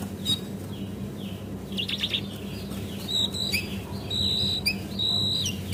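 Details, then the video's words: Used as a lure to make birds sing, a female Javan white-eye gives thin, drawn-out high whistles and soft slurred notes, spaced out, over a low noisy background. "PANCINGAN BURUNG CINGCOANG CEPAT NGEPLONG DAN GACOR!! - Jongkangan Coklat"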